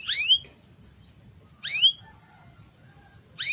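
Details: Canary giving a paired upward-sweeping chirp repeated roughly every one and a half seconds, with a constant high-pitched hum throughout.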